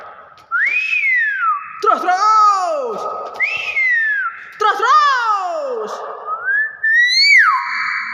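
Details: A captive Nias hill myna that mimics human speech and greetings gives loud, clear whistles that swoop up and then slide down, with harsher rasping notes between them, in a small indoor room.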